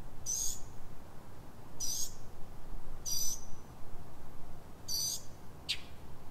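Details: Northern mockingbird singing at night before dawn, 03:44, in Silver Spring, Maryland, USA: short, very high, thin notes repeated about every one and a half seconds, separated by quiet gaps.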